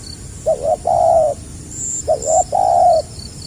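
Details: Spotted dove, 2020, stuttering 'gagap rapat' style: two close phrases, each a pair of quick doubled notes followed by a long, even, hollow coo. Light insect chirps overhead.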